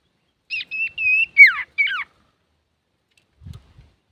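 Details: Singing male common iora, used as a lure: a short run of clear whistled notes, level and then sharply falling, delivered in quick succession before silence.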